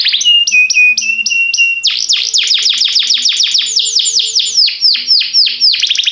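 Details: Canary singing for canary training: short level whistled notes on a steady tone, then a long fast series of descending sweeps delivered several times a second.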